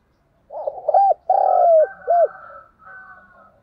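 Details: A decoy spotted dove gives its provoking coo: a few quick hooting notes, one long mellow coo bending downward, and a short closing note, with a thin steady whistle-like chatter of other birds behind it.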